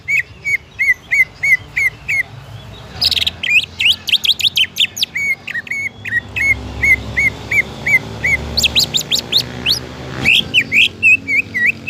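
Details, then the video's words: Greater green leafbird singing to encourage other leafbirds: short rows of repeated whistled chips alternating with loud bursts of rapid, sweeping notes, roughly three notes a second overall. "PANCINGAN CUCAK IJO AGAR CUCAK IJO LAIN CEPAT GACOR"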